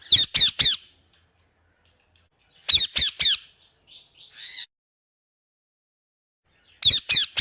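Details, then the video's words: Parrot repeats harsh, grating squawks in tight triplets roughly every three seconds, with softer squeaky notes after the middle group. "parrot 앵무새 소리"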